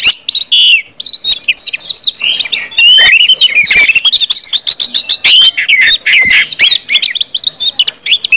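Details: Ngeplong song from an orange-headed thrush, used as a lure to make birds sing prolifically: dense, rapid sequence of bright whistles, upslurs and down-slurred notes mixed with short twitters, continuous throughout.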